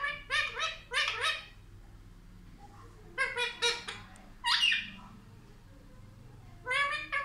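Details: Indian ringneck parrot, a talking bird said to speak "mummy papa", giving bursts of harsh, rich syllables in short clusters, with gaps of quiet room hum between them.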